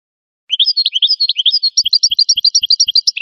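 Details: An American goldfinch sings a rapid twittering series of high, bright chirps after a brief silence. The notes alternate between two pitches in a steady, lively rhythm, with faint low taps in the background.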